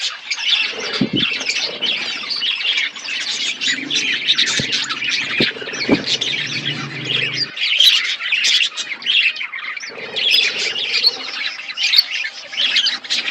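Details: Many budgerigars kept in a colony setup chirping nonstop, a busy overlapping chatter of quick warbles and squawks, with a low background hum during the first half.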